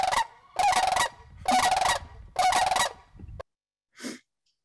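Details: Sandhill cranes give a unison call: four loud, rolling, trumpeting bugles about once a second, rich and rattling in tone, followed by one fainter note after a brief pause.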